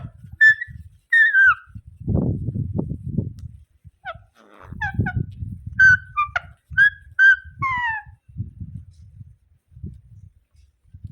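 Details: Rose-ringed parakeet (ringneck parrot) giving short harsh screeching calls in bursts, some descending, scattered across the recording over low rumbling handling and background noise.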